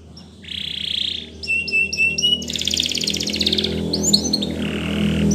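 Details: Spanish Timbrado canary singing a training song: a short buzzy roll, clipped metallic notes above a flat whistle, then a harsh rapid rattle and scattered chips, with a low hum underneath.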